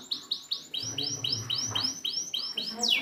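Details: Short canary song phrase from a lesson for silent canaries: clear arched whistles, each rising then falling, repeated about four times a second, finishing with a rapid downward slide.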